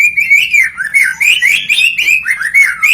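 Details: White-rumped shama in full song, used to prompt other shamas to sing; a continuous run of clear, bright whistled phrases, rising and falling, with short breaks between notes.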